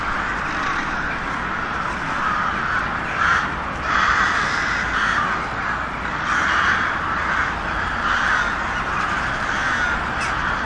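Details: Harsh caws from many crows at once, a constant scratchy din with a few louder bursts standing out.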